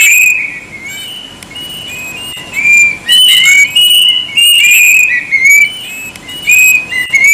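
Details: Loud plaintive cuckoo song of repeated whistled phrases, each sliding down then up, in a close, somewhat distorted recording with noisy bursts between notes.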